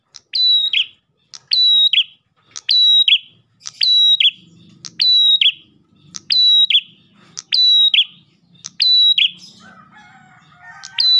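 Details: Ash tailorbird in full song, used to lure other tailorbirds: a sharp click, then a level high whistle and a falling buzzy note, repeated about once per second. Faint low hum in the background and a brief lower warbling near the end.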